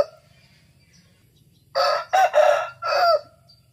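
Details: Thai Bangkok fighting cock giving a single loud raspy crow in three or four choppy segments after a quiet start with a low steady hum underneath.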